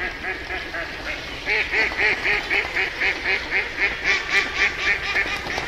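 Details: Quiet scattered quacks open the recording, then from about a second and a half a duck breaks into a brisk, even string of loud, nasal quacks that runs to the end.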